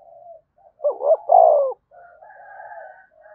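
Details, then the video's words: Spotted dove coo played to stimulate other doves to coo: one phrase of two quick low notes and a longer, louder drawn-out coo, framed by soft, low murmured coos. "cu gay kich boi nhanh noi gù"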